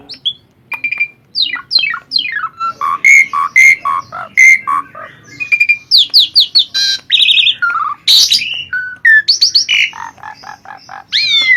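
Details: Asian pied starling in full, energetic song, used as a master recording for training: a varied run of clear whistled slurs, steep falling sweeps, harsh squawky bursts and rapid chattering notes, loud and almost continuous.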